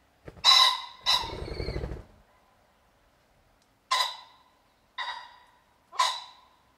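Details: Common pheasant in the European countryside: two loud harsh crowing bursts, the second trailing into a whirring wing flutter, then three more separate hoarse calls spaced about a second apart.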